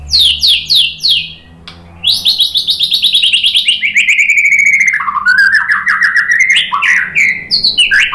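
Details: Song of a white-rumped shama, used as a lure to set other birds singing: quick high descending notes lead into a long, varied run of rapid buzzy trills that gradually drop lower, then rise again in mixed whistled phrases.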